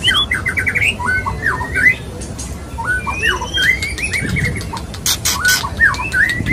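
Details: Male white-rumped shama (murai batu) singing to court a female: repeated phrases of rapid stuttering notes and paired down-slurred whistles, with short scratchy bursts, phrases recurring every few seconds.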